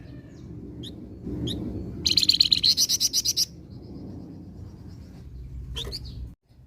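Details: Flamboyan in frequent song, played to attract other birds: a few sharp chirps lead into a quick run of about twelve rasping high notes over 1.4 seconds, then thin whistles and another chip, steady low hum beneath.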